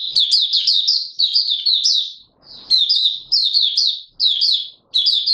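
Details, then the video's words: Oriental white-eye (Mata Puteh Raja), a cage bird, gives its opening song on 24 March 2022: energetic high, sweet twitters in quick phrases about a second long, separated by short silences. "Mata Puteh Raja Video 1 buka sing"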